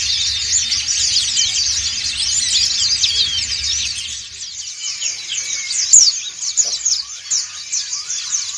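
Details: Group ngriwik song of many white-eyes, dakun and montanus: a dense high twittering chorus for about four seconds, then thinning to scattered chirps, one sharp bright note standing out near the end.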